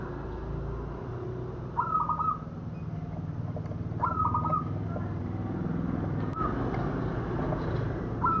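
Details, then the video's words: Local zebra dove coos used to lure birds for trapping: four brief warbling phrases of rapid, gently rolling notes, spaced roughly two seconds apart, over a constant low rumble and faint background noise. "Suara Perkutut Lokal Cocok Untuk Pikat"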